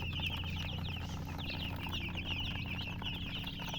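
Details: ['Baby chicks chirping as a group: dense, overlapping short high peeps, many falling in pitch, pour out continuously with no pauses, over a steady low hum in the background.']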